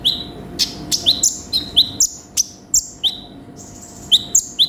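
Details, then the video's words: Konin sunbird, described as lively and in full song, giving sharp high chirps, each sliding down into a short buzzy trill, repeated about every third of a second with brief pauses; faint steady hum underneath. "MASTERAN BURUNG KONIN GACOR FULL ISIAN"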